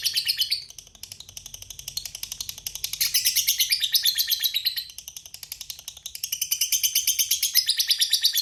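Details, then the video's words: Long ngekek chatter from a lovebird in full song: a continuous, rapid, rasping trill of high notes pulsing in strength over eight seconds, with several louder swells. "Suara Burung Lovebird Gacor Ngekek Panjang Bikin Labet PANAS Ikut GACOR"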